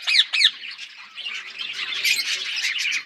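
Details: Parrots eating food give two loud, harsh squawks, then a dense, continuous chatter of high, scratchy chirps from several birds at once.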